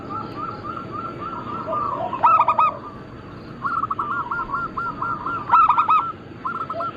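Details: Local Zebra doves of Bangkok-crossing type singing in a group for bird luring and training: long runs of rapid, even cooing notes broken twice by loud, bright, ringing phrases, with constant background hiss.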